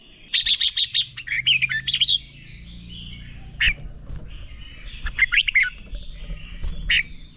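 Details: Red-whiskered bulbul training song for stimulating young birds to sing competitively: a rapid run of five even chips, then tumbling warbled notes, later two shorter slurred phrases, with light background twitter.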